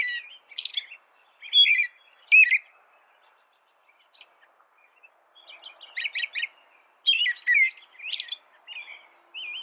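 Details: American robin song in two bursts of sharp, slurred whistled phrases around a quiet pause, with high squeaky notes and a faint hiss.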